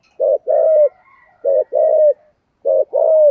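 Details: Spotted dove cooing in the 'thổ sấm' voice, 'thúc gù' style: three low two-part phrases, each a brief note followed by a drawn-out, slightly falling coo, with a faint thin whistle in the background.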